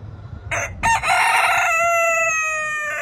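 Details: Rooster crowing loudly in a funny compilation: a harsh, rasping start breaks into a long, drawn-out, strongly harmonic crow held steady for about two seconds and tapering slightly at the end, with faint background noise beforehand.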